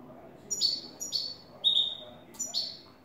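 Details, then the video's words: New goldfinch singing clean "el tres vueltas" style: four crisp, high, slurred twittering notes delivered roughly every half second, each with a sharp onset and a quick downward sweep. "Jilguero a cante limpio " el tres vueltas""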